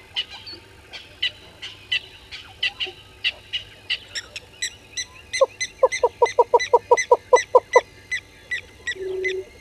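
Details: Yellow-billed hornbill at Gowrie dam waterhole, Djuma Game Reserve, Sabi Sand Wildtuin, South Africa, 05:44 on 10/02/21, caught by a live waterhole camera: a rapid run of about a dozen loud, hollow clucking notes, preceded by fainter high chirps from other birds.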